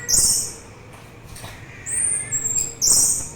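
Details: Orange-headed thrush singing, offered for relaxation and to lure other birds: short, very high squeaky phrases near the top of the range, a gap, then a thin sliding whistle and a final burst, over a faint steady hum.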